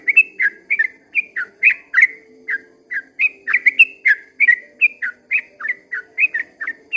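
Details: Yellow-vented bulbul singing at dawn in a long rapid-fire song: bright two-part whistled notes, each a short upward slur dropping into a lower note, delivered about three per second without a break, over a faint low hum.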